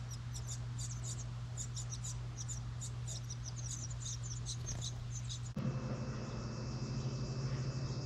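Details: Begging house wren nestlings inside a recycled license plate nest box in New England during feeding. High, fast squeaky chips fill the first five seconds, then stop abruptly and give way to a louder hum.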